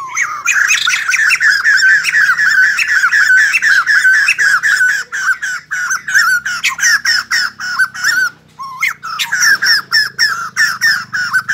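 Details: White-crested laughingthrush singing and dancing: a loud, harsh, cackling chatter of rapid squawky notes running nearly continuously, then breaking into separate bursts toward the end.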